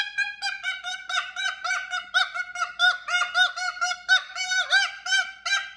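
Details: Pet cockatoo giving a rapid run of harsh, honking, harmonic-rich squawks, about twenty short notes jostling one after another in quick succession.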